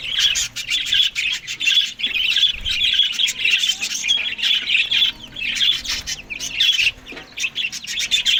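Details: Budgies eating green food in the morning give a steady, loud, scratchy warble of rapid chirps and squawky notes, broken by a few short pauses.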